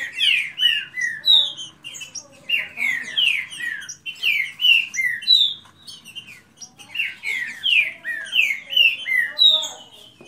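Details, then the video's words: Green-winged saltators, several kept birds in a singing contest, deliver fast, rich whistled phrases sliding downward in bursts about every second, overlapping one another with brief pauses, plus faint high chips between phrases. "Disputa de canto rápido Esquente seu trinca ferro"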